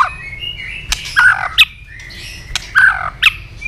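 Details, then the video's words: White-rumped shama in fighting song while flicking its tail: a few loud, harsh slurred phrases and sharp clicks separated by short pauses, with a thin sustained whistle behind. "chòe lửa đập đuôi liên tục kích thích lửa hót đấu nhanh căng"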